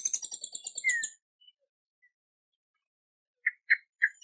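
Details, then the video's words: Hummingbird calling: a rapid, buzzy high trill lasting about a second, then near silence, then three short sharp chips. "Sonidos de Colibries - COLECCION SONIDOS DE COLIBRIES - Hummingbirds Sounds"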